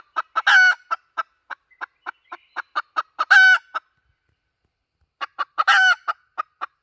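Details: Hen calling as a lure: rapid clucks with three loud rough squawks spread through the clip. A pause of over a second comes before the last burst of clucks and a squawk.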